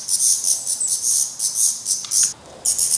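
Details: Downy-headed black redstart fledglings being fed at the nest in Portugal: loud rasping hiss-like begging bursts, each about a quarter second long, with a brief quiet gap near the end.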